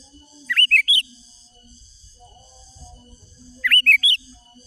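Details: Wild sooty-headed bulbul song used to call rivals: a short phrase of three liquid, slurred whistles, a long pause, then the same three-note phrase repeated, over a faint steady high hum.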